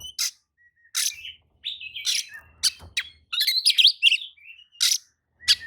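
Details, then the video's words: Oriental magpie-robin answering another magpie-robin's song with scattered harsh, buzzy bursts and short whistled notes, separated by brief gaps, with a faint low rumble in the background. "kacer manasaja jelas ikut nyaut emosi dengrar kicau kacer seperti kacer ini"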